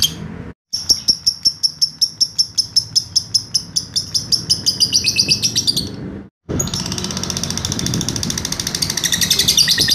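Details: Lovebird 'ngekek' trill used as master training audio: a quick string of sharp high chirps accelerating and sliding lower, a brief silence, then a denser buzzing continuation of rapid high notes.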